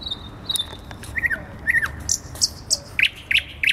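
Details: Thrush nightingale singing undisturbed at night, 12 May 2020, from a tree on a central Warsaw square; a sustained high whistle, slurred descending notes, sharp high chips, then a series of quick rising notes about three a second.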